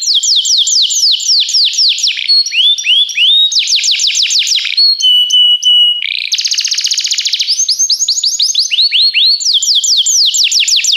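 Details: Belgian canary singing a training song: rapid series of downslurred whistled notes, a buzzy rolling trill near the middle, then more fast descending notes and short rattling phrases, steady and loud throughout.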